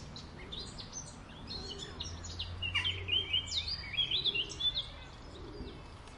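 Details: Eurasian blackcap singing in a park: a quick, varied warble of bright whistled and chattering notes, loudest in the middle, with fainter chirps from other birds and a low background rumble.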